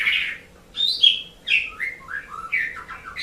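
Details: Asian pied starling, tutor song for pet songbirds: a brief medley of slurred whistles dropping and rising in pitch, with a bright piercing note and rough warbled ends.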